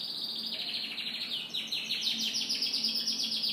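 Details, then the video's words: A canary sings in the morning with a steady run of fast, high, rattling trill notes that grow louder and brighter toward the end, over soft background noise. "Canary Morning Singing"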